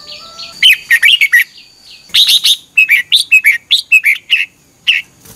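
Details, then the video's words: Red-whiskered bulbul morning training song from 2021, used as lure-bird sound: a long, busy run of sharp chirped and warbled notes, several clusters delivered in quick succession over about five seconds, loud and clear. "Luyện chào mào hót sáng 2021 - QUÁ HAY KÍCH BỔI NHANH CĂNG LỬA"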